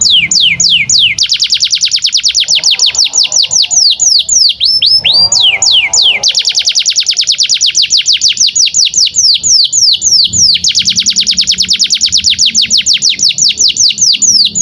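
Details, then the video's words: Long canary song for training young canaries, a rapid unbroken rolling trill of falling notes repeated several times per second, briefly broken by a faster chattering burst midway, with no other sounds. "SUARA BURUNG Kenari GACOR PANJANG INI Cocok untuk Masteran KENARI PAUD dan Kenari Macet BUNYI"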